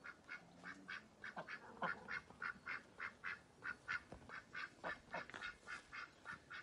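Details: Ducks quacking in a rapid series of short, nasal calls, roughly two per second, over a steady background hiss.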